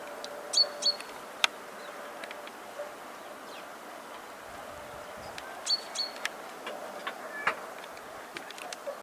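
Fieldfares give scattered harsh, clicking chack notes and thin high squeaks in loose bursts, over a steady low rumble of distant traffic.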